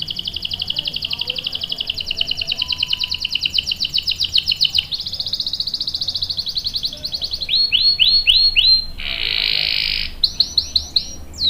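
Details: Canary singing a long rolling 'ngerol' song, played to provoke and tutor young birds: rapid high trills in shifting sections, then a run of separate pulsed notes, a buzzy burst and more quick notes.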